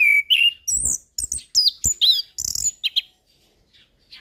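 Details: Song of a settled orange-headed thrush for training an untrained bird: a clear whistle, then a quick chain of high chattering slurs and squeaks, fading to faint distant notes.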